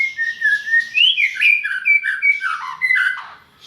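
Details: White-rumped shama from Medan singing a flowing run of clear whistled notes, gliding and slurring between phrases that rise and fall, with sweet sliding whistles around the middle of the phrase.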